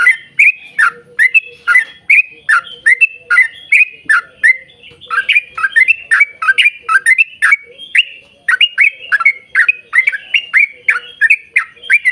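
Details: Extended chattering song of a yellow-vented bulbul, the long 'ropel' style meant to lure others into song: dense rapid sequence of bubbly, slurred chirps running continuously for twelve seconds with a brief lull midway.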